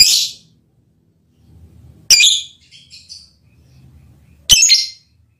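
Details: Mating call of a lovebird aimed at its male partner: three loud, harsh, high screeching bursts about two seconds apart, with soft chatter and faint low indoor noise in between.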